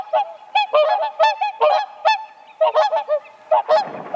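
Whooper Swans trading loud, bugling honks, about two to three a second, with several birds overlapping in a ringing, trumpet-like chorus.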